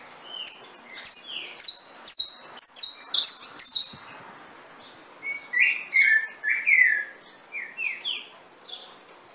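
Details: Singing saffron finch: a fast burst of high, falling chirps, a short gap, then a second phrase of lower, rolling slurred notes and a final high chip.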